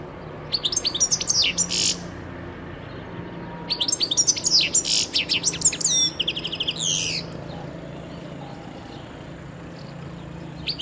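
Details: European goldfinch, 2011 recording: repeated phrases of sparkling high twitters, chattering notes and buzzy descending slurs, in bursts of a few seconds with short gaps, over a faint low background hum.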